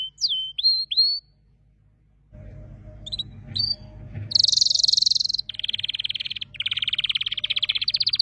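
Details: Canary song with a few upslurred whistles, brief noisy pause, then loud buzzy trills at high and slightly lower pitch in sequence.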